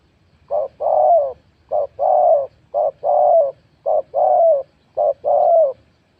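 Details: Spotted dove used as a decoy in Thailand to lure wild doves, cooing in four clear phrases, each a short note followed by a longer, slightly falling purring coo, repeating about every 1.2 seconds over a quiet background.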